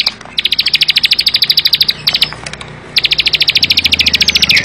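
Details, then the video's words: Bar-winged prinia delivering dense, rapid trills of sharp high notes, two long bursts broken by a brief gap, with a faint low hum behind. "ciblek sawah gacor full bren rapat"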